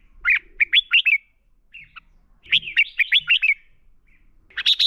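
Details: Red-whiskered bulbul fighting song meant for training birds: clusters of rapid, sweet, rising-and-falling whistled notes in two main phrases separated by a quiet gap, ending with a burst of harsher, buzzy notes.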